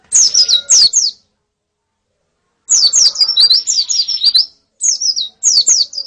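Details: Female and colony white-eye (pleci) calls used as song therapy for a male; short clusters of high, thin, downward-slurred chirps separated by silences, the middle burst longest and busiest.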